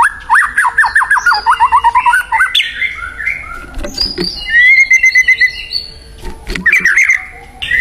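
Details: Wild white-rumped shama singing vigorously: a quick string of sharp, descending whistled notes, then a pause, a steady trilled phrase, and renewed whistling at the end.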